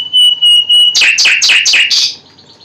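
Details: Common nightingale song: four clear, steady whistled notes on one pitch, then a fast run of five harsh, descending buzzy notes that fades out.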